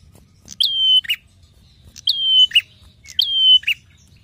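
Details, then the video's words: Prinia song used as a master or lure recording: three quick phrases, each a bright clipped note, a sustained level whistle, then a rough lower chirp, repeated about every one and a half seconds. "Prenjak Gacor narung Ajib!"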